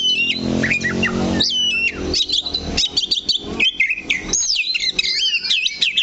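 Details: Oriental magpie-robin holding to one spot on its perch, delivering bright whistled notes and quick chirps that build into a fast, varied stream of looping phrases in the second half.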